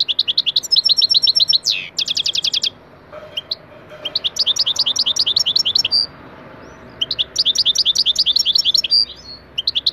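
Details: European goldfinch lesson song for pet birds, a lively high chatter of quick repeated chirps broken by a silent gap, with a faint low thud near three seconds.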